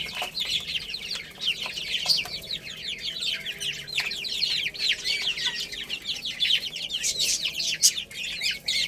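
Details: Numerous chicks eating and playing, their high, falling peeps repeated in a fast, crowded stream that barely pauses, growing a little fuller toward the end.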